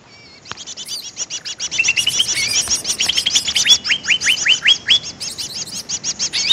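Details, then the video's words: Greater green leafbird lure call: rapid, dense high chattering with a run of sharp downslurred whistles, about two or three notes a second. "suara pikat burung cucak ijo"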